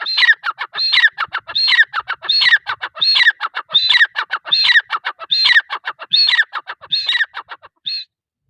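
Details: Repeated phrased calls from a female grey francolin: regular bursts of harsh, downward-sliding squeaks about 80 a minute for eight seconds, ending with one lone high note and then silence.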